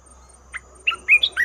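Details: Short lure call of a red-whiskered bulbul for trapping: a soft opening note, a pause, then several quick rising and falling whistled chirps.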